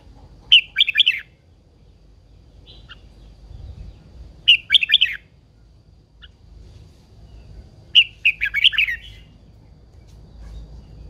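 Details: Caged red-whiskered bulbul, described as an old wild female stirring a male into intense song, repeats a short, lively warbled phrase of rapid chirps three times, roughly every three to four seconds, with soft faint notes between.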